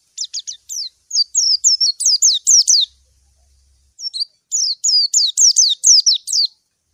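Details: White-eye calling a rival: quick high ticks building into a run of loud descending chirps, a pause, then another fast series of downslurred notes.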